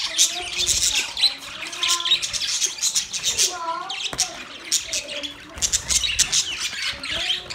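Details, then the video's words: Budgerigars mating produce a fast stream of shrill chirps and squawks, mixed with lower wavering, voice-like tones that slide up and down. "Parrot mating sound"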